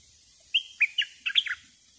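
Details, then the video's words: Decoy bulbul giving a brisk phrase of clear, slurred whistles: three spaced notes followed by a tighter cluster of three, each note falling at the end, with little background noise. "Burung merbah lekir bay hoach thom gacor bahanan"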